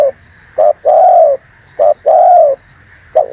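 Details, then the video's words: Lure recording of an energetic spotted dove: a brief low coo, then a drawn-out smooth coo, given twice in quick succession before another short note begins, with a faint constant hum behind. "MP3 Suara TERKUKUR GACOR ‼️semua burung pada ngumpul"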